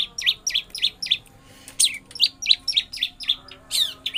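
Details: Long-tailed shrike (pentet) singing in full ngeroll style: sharp, high, slightly buzzy notes repeated about four times a second, briefly broken by a harsher rasping note, then resuming the even series.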